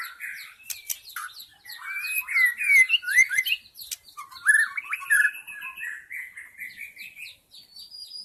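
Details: White-rumped shama song from the forest, used to lure wild shamas: varied scratchy notes and bright slurred whistles, ending with softer rising high notes.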